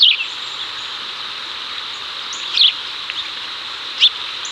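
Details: Chicago house sparrows in 2024, male summoning female while feeding on cicadas; three isolated sharp chirps spaced over a few seconds against a steady high-pitched background hiss.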